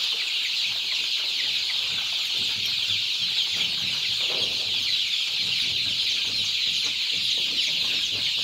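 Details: Many two-week-old improved Kienyeji chicks on a poultry farm in Kenya, running everywhere after being fed; a dense, unbroken chorus of high peeping from the flock, with faint scattered taps and scratches beneath.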